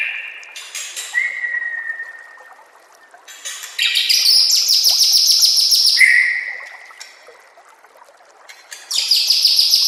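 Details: White-rumped shama master song for training shamas: long falling whistles alternating with rapid, buzzy high trills repeated in fast bursts.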